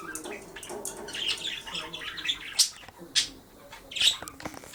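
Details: Male pet budgie amusing himself with a disco ball in sunlight, chattering in buzzy, rasping warbles with bright piercing squeaks near the end.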